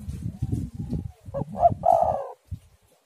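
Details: Spotted dove song used as a lure to get doves singing: after low rumbling wind noise comes one phrase of two quick short notes and a drawn-out, slightly rolling coo.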